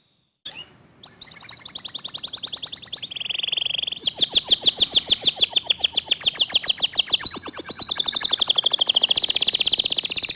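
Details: Local canary with clear, fast 'tembakan' song: after a short silence, a dense rapid trill begins, a brief lower warble follows, then a long continuous run of very quick, tightly packed high notes.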